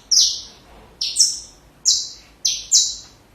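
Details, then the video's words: Saffron finch singing for young birds to copy: five loud, high, buzzy notes, each dropping a step in pitch, arriving in two pairs plus a single note about every half second to a second. "Canário da Terra Canto Perfeito Para filhotes"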